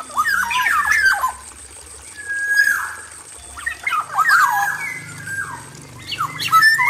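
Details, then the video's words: Captive male black-naped oriole in an aviary giving a full song: bursts of liquid, slurred whistles and quick warbled notes, each burst separated by short pauses over about seven seconds. "PANCINGAN SUARA KEPODANG EMAS JANTAN GACOR FULL ISIAN DI KANDANG AVIARY"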